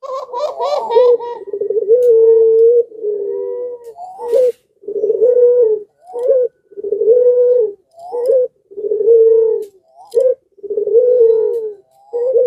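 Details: Caged Barbary dove of the pelung type, excited in breeding condition and prompting surrounding doves to join in: a long run of steady, resonant low coos, each held about a second, repeated with short rising hiccup notes, with a higher call at the start.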